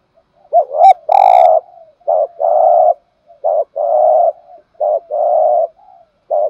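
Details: Urging coos of a spotted dove, meant to excite other doves into answering. Short hooked notes alternate with long, even, vibrating coos, repeated roughly every second and a half. A brief sharp click sounds near the start.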